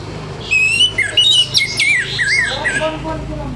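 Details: Harsh morning song of an orange-headed thrush, used to make other thrushes start singing: a dense tumble of wavering whistles, buzzy upstrokes and sliding notes that drop in pitch toward the end of the phrase.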